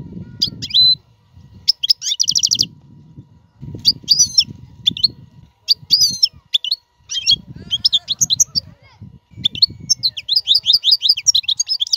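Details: European goldfinch song, played for teaching caged young birds: broken phrases of high chirps and short tinkling trills with gaps, over intermittent low rumbling noise, ending in a rapid run of twittering notes.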